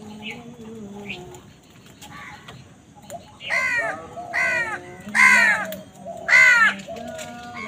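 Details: Crows calling while wild birds fight with them for food: loud harsh caws in a rhythmic series of four near the end, after softer calls; faint other bird notes in the background.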